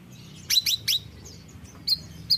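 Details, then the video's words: Bayeman bird in lively song: a quick cluster of three sharp, bright chirps, then two thin high downward-sliding notes after a pause, over a low steady indoor hum. "BURUNG BAYEMAN GACOR"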